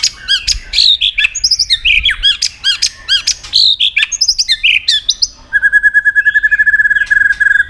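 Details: Caged white-rumped shama in competitive, many-voiced singing: loud varied whistled and harsh notes sliding up and down, then a fast even trill of repeated clicks on one pitch.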